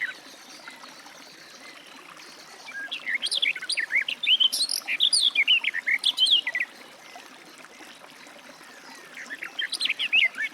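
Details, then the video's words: Garden warbler (Sylvia borin) song: after quiet, a long, fast, babbling warble of varied notes, then a pause and a fresh phrase starting near the end. "Warbler garden, birdsong"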